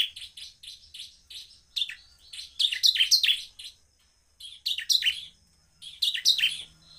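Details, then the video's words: A Bar-winged Prinia gives rapid, high, sharp chirps, starting as an even ticking run and breaking into loud, scratchy bursts repeated every second or two, used to provoke other prinias into calling. "ciblek semi Cristal gacor Cepat memancing emosi ciblek agar bunyi"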